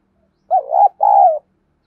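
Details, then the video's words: Lure spotted dove calling in the 'đồng thổ' voice to draw a wild rival: a wavering coo followed at once by a long, steady, slightly falling coo, clean and close. "Chim Cu Mồi Tiếng Kích Hiệu Quả- cu gù đấu với bổi"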